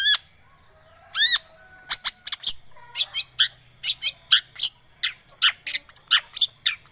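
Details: Long-tailed shrike lure song: sharp harsh chirps and rising whistled notes in quick irregular bursts, a steady high tone running underneath.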